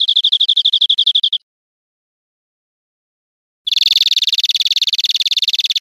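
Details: European greenfinch song from a recording made for training caged birds: a fast, even trill of repeated notes at one pitch for over a second, a pause of silence, then a longer, denser, buzzier trill.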